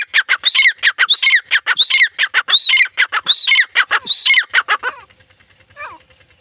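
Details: Teetar, the grey francolin, giving a loud repeated call: ringing arched notes alternate with rapid harsh clicks in a steady rhythm for about five seconds, then a faint tail and a distant note.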